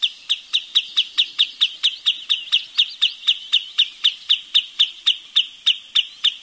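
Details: Wood sandpiper repeating a clear, high, piping note in a brisk regular series, some twenty-five notes in six seconds, with little else audible.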